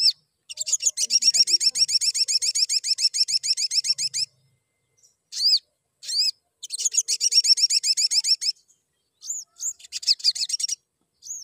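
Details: Crimson sunbird chirping, used to spur other sunbirds to sing more: long bursts of rapid, high, buzzy chirps repeated several times a second, broken by short pauses and a few single sharp notes.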